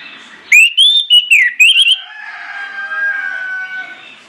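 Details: Orange-headed thrush singing loudly and persistently as a lure to get other birds singing along: a brief phrase of clear rising and falling whistles lasting about one and a half seconds, followed by a fading echo-like hiss.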